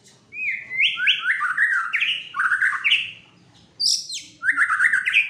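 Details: White-rumped shama, a caged fighter bird described as agitated, singing loud rich whistled phrases that step down in pitch, a run of slurred notes followed by a pause, then a high sharp burst and more descending whistles.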